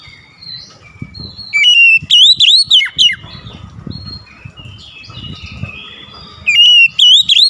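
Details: Oriental magpie-robin singing: two bursts of loud, sweet, swooping whistles with sharp rising and falling notes, separated by several seconds of softer twittering and low rustling or knocking background sounds.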